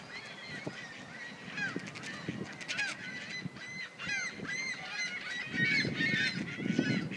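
A flock of ducks quacking and chattering over each other in a busy, overlapping chorus of nasal, honking calls, with low background rumble.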